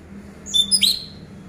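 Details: Orange-headed thrush, a caged bird, song used to coax silent birds into song: one short, high phrase of thin whistles ending in a sharp downward slur.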